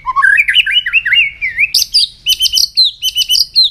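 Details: Shama, White-rumped, in morning song during voice practice: a rising chain of warbled whistles leading into rapid, evenly repeated high chirping notes.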